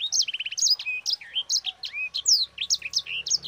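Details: Rolling song of a yellow-fronted canary (sanger) used to coax other birds into singing: opens with a fast stuttering trill, then varied high whistles, upslurs and down-swept notes delivered rapidly.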